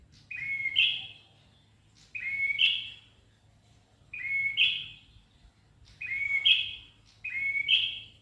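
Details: Ashy tailorbird in full, active song: five short, bright, buzzy phrases, each a quick upward slide ending in a sharp accent, repeated about every one and a half seconds against a quiet background.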